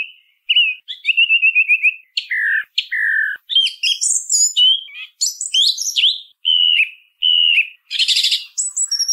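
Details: Song thrush in full song: a trilled note series, then pairs of descending whistles, followed by quick twittering and squeaky phrases with a harsh buzzy burst near the end. The recording is otherwise clean.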